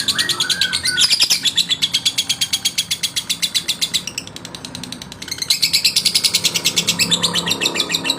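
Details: Male lovebird song to rouse rivals: bursts of rapid high chattering pulses, broken by a short lull, then resuming loudly with squeaky twittered notes mixed in.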